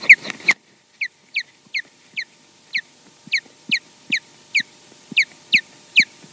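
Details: Wild ospreys at a nest in Scotland, filmed by a nest camera during mating and a nest changeover; a brief noisy burst, then about a dozen sharp, downslurred whistled calls repeated roughly every half second.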